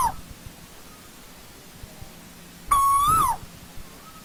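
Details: Asian koel of old-growth forest giving one strong whistled note, level then rising and falling off. The tail of an earlier note opens the clip, with a faint distant echo-like note afterward and quiet low hum throughout.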